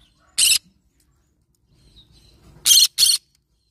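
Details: One rough, scratchy squawk from a yellow-sided green-cheeked conure parrot, then after a two-second pause a quick pair of equally harsh screeches.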